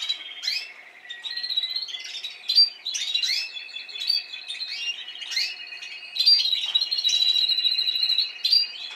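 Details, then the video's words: Spanish timbrado canary from last season singing in a cage, a continuous stream of metallic rolling trills and short swept notes, bursts rising and falling, with young birds of this season learning to sing nearby. "Canarios Timbrados cantando"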